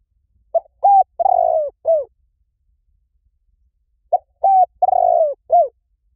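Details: Spotted dove call used to lure doves: two matching phrases of four mellow cooing notes, a short note, a slurred coo, a long drawn-out coo and a falling final coo, separated by about two seconds of silence.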